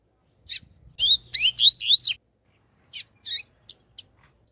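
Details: A female double-collared seedeater calls to warm up males: high, thin chirps, a quick run of rising sweeping notes, then scattered short tweets, with a faint low hum underneath.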